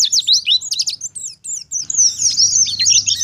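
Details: Lure song of a wild Oriental white-eye, meant to get other white-eyes answering: busy high twitters and sharp chirps, a short gap near the middle, then a bright, rapid, warbling run of slurred whistles.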